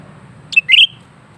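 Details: Single brief phrase from a lesser green leafbird in steady song: a sharp high chip followed by a slightly longer bright whistled note that slides upward, over a quiet low hum.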